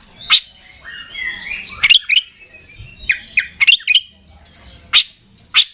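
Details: Oriental magpie-robin, a kept competition songbird, giving loud sharp chips and short clustered notes at irregular intervals over faint softer warbling.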